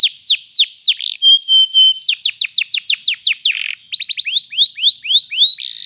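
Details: Canary singing long rolls for training young birds: repeated downslurred whistles, a flat steady tone, then fast descending trills and a buzzy burst at the end.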